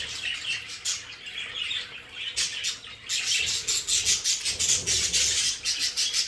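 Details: Pet budgerigars in their play area, loud dense warbling chatter with rapid scratchy chirps, growing busier in the second half, several birds calling at once.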